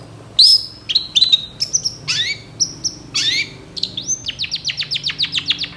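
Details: Long-tailed shrike singing strongly with a song packed with imitated phrases: a high sliding whistle, scattered sharp chips and rising swoops, then a quick regular series of clipped high notes.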